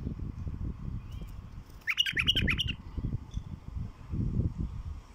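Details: Raw song of a wild bulbul, played to draw in wild bulbuls: a single brief phrase of rapid, liquid, chattering notes midway through, set against a steady low rumble of background noise.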